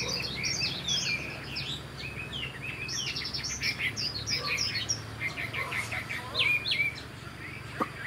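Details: Caged young Chinese hwamei, this year's bird, flicking its tail while singing: a rapid jumble of short whistled and chirped notes, high and varied, with faint low background hum.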